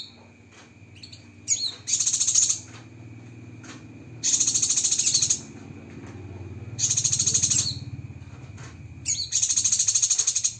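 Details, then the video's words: Cucak kinoi masteran with sharp 'tembakan' fill-ins: four separate bursts of fast, high, buzzing pulsed trill, each introduced by a quick chirp, over a low steady hum. "Masteran Burung Cucak Kinoi Full Isian Tembakan Pedas"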